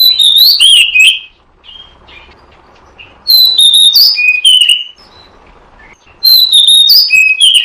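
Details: Bait sound of an oriental magpie-robin: three loud bursts of ringing whistled phrases with sliding pitch and high accents, separated by quieter gaps of about two seconds.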